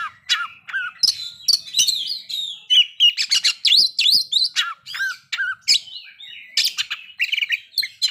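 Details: Oriental magpie-robin song used as a lure to bring other magpie-robins into breeding condition and aggression: a fast, dense run of varied whistles, sharp chips and buzzy notes, rising and falling, tumbling on without pause.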